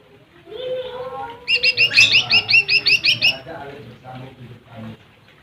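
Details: Lesser green leafbird provoking rival birds: after soft low chatter, a loud burst of about eleven rapid, bright, high-pitched notes in quick succession, then quieter scattered sounds.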